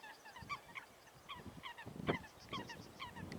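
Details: Fighting Eurasian coots, water birds, utter brief honk-like notes in quick irregular bursts, with a sharp splash or knock in the middle and low water noise beneath.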